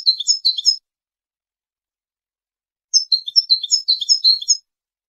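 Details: European goldfinch song used to tutor young goldfinches and hybrids for singing contests: two bursts of rapid, high twittering notes with a gap of silence between.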